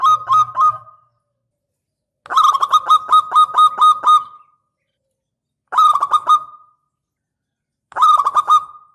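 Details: Local zebra dove singing loudly, used as a lure to draw a reply: short bursts of fast, pulsed coos near one pitch, rolling into a longer stuttering trill, with a harsh, overdriven edge and silent gaps between phrases.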